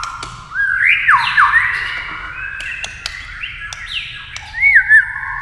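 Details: White-rumped shama flicking its tail and singing against a television; sliding whistles climb and fall in overlapping phrases, punctuated by sharp clicks and ending in a bright, quick rising note.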